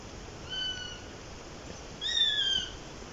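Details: Eurasian sparrowhawk giving two thin, drawn-out whistled notes about a second and a half apart, each slightly arched in pitch, with a faint hiss of background noise.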